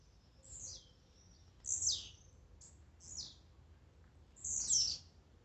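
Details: Blue-black grassquit songs and calls: four high, wheezy downslurred buzzes about a second apart, the last one strongest, over a soft background hum.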